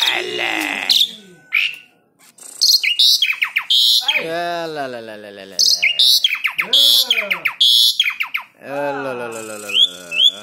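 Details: Tame Asian pied starling in full song, used to stir other birds to sing; a varied mix of whistles, clicks and rich, wavering, voice-like warbles.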